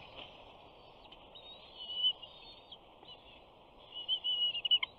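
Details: Bald eagle eaglet aged 68 days at a Big Bear nest, first day of summer 2019, calling as a parent approaches with fish: high, slightly wavering whistles, rising in loudness toward the end as several quick notes run together.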